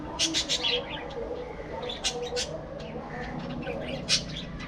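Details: Budgerigars give quick bursts of shrill, squeaky chirps, a cluster at the start, more in the middle and a sharp note near the end, over a murmuring low background.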